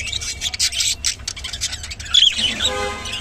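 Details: Rainbow budgerigar chatters in scratchy high twitters, then a sharp whistled chirp followed by a brief nasal, harmonic-rich buzzing call.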